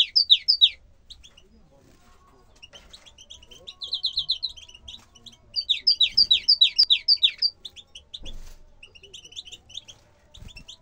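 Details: Bukhara tit song: several bursts of quick, repeated high double notes, each phrase a rapid even series lasting about a second, with quieter chirps from other birds between and faint low thumps.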